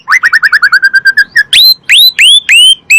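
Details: Asian pied starling song played so kept birds will answer: a rapid even series of about a dozen clipped notes, then loud upswept whistles repeated every third of a second.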